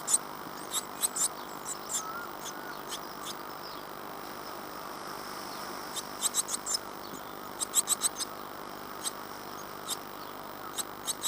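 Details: Great tit chicks in a nest box at Falmouth, UK, on day 14 after their 25 April 2011 hatching: scattered clusters of sharp, high-pitched squeaky chirps, with pauses between, against a faint constant background hum.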